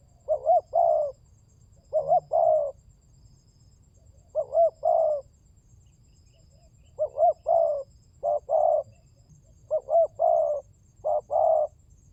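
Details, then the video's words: Spotted dove cooing played as a lure, or pancingan, to get birds calling: six phrases, each a short paired coo ending in a long, even croon, with brief pauses between and faint low rumble. "Pancingan burung tekukur berkhasiat !!! Di jamin tidak bisu"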